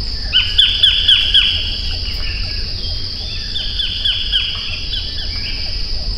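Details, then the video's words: A collared kingfisher (White-collared Kingfisher, Todiramphus chloris) gives two quick runs of harsh, grating notes, about four a second, over a steady high insect drone and low background rumble. "白領翡翠/White-collared Kingfisher(Todirhamphus shloris)call"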